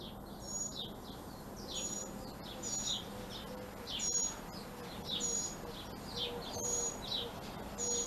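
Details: Baby mockingbird getting food, its high chirpy begging notes repeated roughly every second in uneven clusters, with faint thin whistles and a constant low hum behind.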